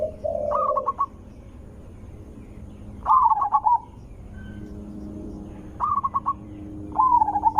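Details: Zebra dove, a loud melodious lure call for other zebra doves. A lower drawn-out coo opens, then three phrases follow, each a row of clipped notes ending in a wavy trill, with gaps of quiet between.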